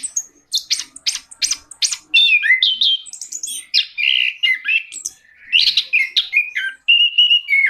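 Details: Orange-headed thrush singing rapidly: a burst of quick repeated chirps, then warbled, scratchy and whistled phrases in a loud, varied stream.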